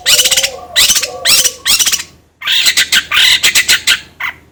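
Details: Long-tailed shrike singing as a lure to stimulate another bird: two loud scratchy bursts with low mellow notes beneath, a short pause, then a harsh rapid chatter.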